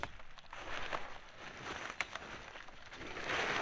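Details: Steady crackling, rain-like hiss with soft rustles and a brief click, with no animal voice at a forest bird sanctuary trek.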